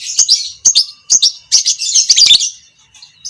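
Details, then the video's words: Lovebird of the fighter type, violet parblue creamino colour, giving ngekek panjang, the long chattering song used as masteran to train other lovebirds; high, scratchy chatter in short bursts with brief pauses between. "Masteran Burung Lovebird Fighter Ngekek panjang - Suara Burung lovebird biola pb creamino"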